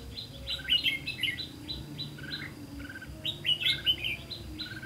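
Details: Red-whiskered bulbul singing at a trapping site on 18 September 2016, where a caged decoy is used to lure wild birds: rapid chirpy whistled notes packed into two dense bursts, with soft low hum underneath.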